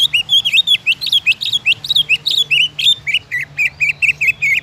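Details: Singing greater green leafbird, played to get other leafbirds singing: quick, varied chattering phrases of looping whistled notes, ending in a regular string of short repeated chirps.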